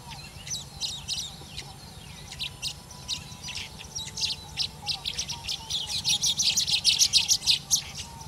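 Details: Asian golden weavers at a small nesting colony in emergent vegetation of a Thai wetland, during the March to August breeding season; dense high chirps and buzzy twitters overlap, swelling louder and busier toward the end over a low steady hum.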